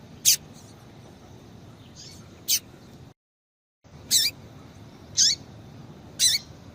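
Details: Spaced, piercing chirps from a female double-collared seedeater, used to stimulate male song; single high notes with downward-sliding tails, separated by gaps of about a second, one brief silent break midway.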